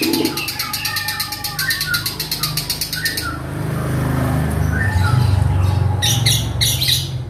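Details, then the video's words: Caged Javan long-tailed shrike repeating imitated song phrases at length: a fast run of rasping, evenly spaced notes with brief whistles, a pause filled by low hum, then more harsh bursts. "CENDET INI MUNTAHKAN TENGKEK BUTO KUNTILANAK GREJA NYERET PETIR KW PANJANG2 DAN DIULANG2!"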